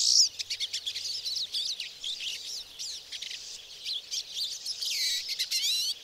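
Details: Several pine siskins in Maine's boreal forest, 2011, giving high twittering chirps, then clear rising buzzy calls repeated in quick succession toward the end.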